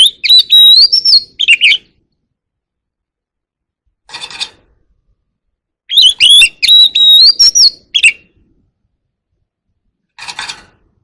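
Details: White-rumped shama singing to call the flock in a wild voice: two bursts of whistled song with sharp chips, each followed by a short scratchy rustling noise.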